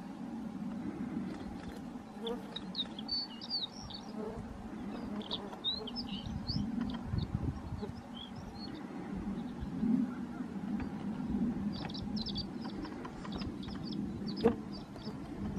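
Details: Horned larks giving two short bursts of high, thin twittering notes, one early and one near the end, separated by quieter stretches. Steady low-pitched background noise continues throughout.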